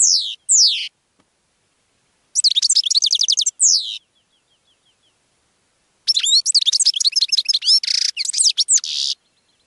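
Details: Goldfinch singing to draw in other birds, delivering fast jangling twitters and slurred high notes in bursts, the last one a long run of about three seconds with buzzy elements.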